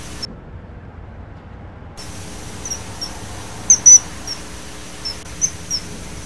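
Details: After a short silent gap, a common kingfisher gives piercing high whistles: scattered single peeps, a loud doubled note, then more spaced calls, against a soft hum.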